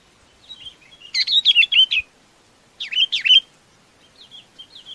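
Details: Chinese babax giving a flock-gathering call: two short bursts of four or five loud, wavering, squeaky notes in quick succession, separated by a pause, with softer quieter notes before and after, otherwise quiet.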